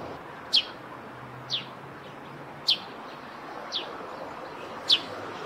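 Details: Eurasian tree sparrow by its roof nest, chirping steadily: crisp high notes alternating loud and softer, roughly one each second, against a soft ambient hiss.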